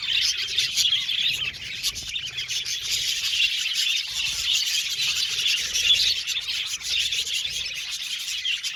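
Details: Budgerigars keeping up a long, even chatter of rapid high twitters and tweets, many birds calling over one another without a break.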